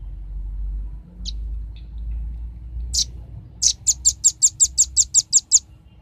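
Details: Lure recording of a velvet-fronted nuthatch meant to draw birds in: a few isolated high chips, then a rapid even string of about ten sharp, piercing notes.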